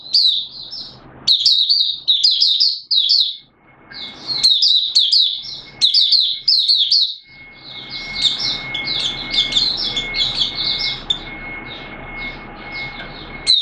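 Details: Singapore, 29 March 2023, warm and humid with sudden showers: a Malaysian Oriental white-eye (mata puteh) in buka sing. Sustained, high, rippling twitter in repeated phrases, with a steady faint tone and background hiss in the later half.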